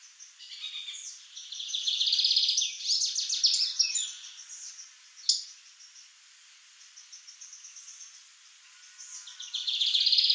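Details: A young male Lined seedeater vocalizes in rapid, buzzy trilled phrases with scratchy chirps, loud at first, fading to softer high twittering, then a fresh loud buzzy burst at the end; one sharp click midway.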